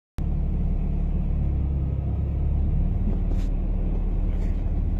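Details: A steady low engine rumble from a vehicle, with no animal calls heard.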